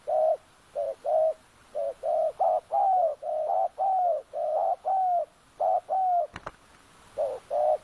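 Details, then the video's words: Spotted dove used as a decoy to lure wild doves in a Sabah oil palm plantation, Kampung Luagan; soft hollow coos repeated about once a second in a continuous series, broken by one sharp click near the end. "Suara tekukur enak"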